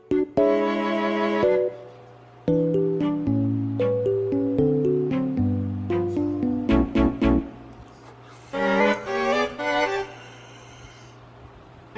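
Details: Instrumental music with bowed strings and a steady low bass line plays throughout, with no animal sound standing out.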